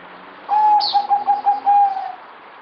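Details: Zebra dove (merbok) singing: a clear run of short, evenly pitched coo notes that pulse rapidly for over a second and a half, ending in a longer drawn note, with one brief high chirp overhead.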